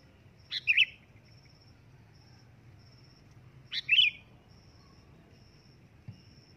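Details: Sooty-headed bulbul calling loudly: two short, bright chirped notes about three seconds apart, each a sharp upward flick into a burbling note, over a faint, steady, broken high tone and low background hum.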